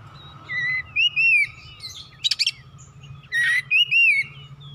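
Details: Oriental magpie-robin song played to stir other birds to sing. Loud, clear whistled notes slur upward and downward in pairs, broken by a burst of harsh scratchy chatter in the middle, over a steady faint hum.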